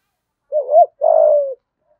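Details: Spotted dove cooing to excite other doves: a wavering two-humped opening note followed by a longer, buzzy coo that drifts slightly downward, in otherwise silent surroundings.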